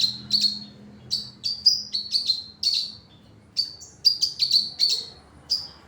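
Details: Series of sharp, very high chirps from a sogon, some doubled or grouped in quick bursts, with short silent gaps between phrases and a soft steady hum behind.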